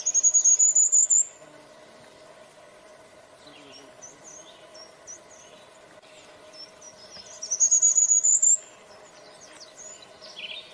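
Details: Blackburnian warbler, Bogor: two very high, thin, rapidly pulsed songs, each rising slightly and lasting about a second, spaced roughly seven seconds apart, with faint chips between and a steady low hum throughout.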